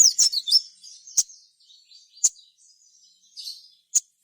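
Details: Sogon voice used to encourage other sogon to sing: a quick cluster of high twisting chirps at the start, then fainter warbling and isolated sharp notes spaced about a second apart.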